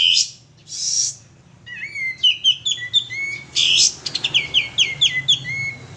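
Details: Male sooty-headed bulbul singing hard, used as a lure. Harsh noisy bursts mix with two quick runs of sweet, slurred whistles, the second a fast string of down-sweeping notes.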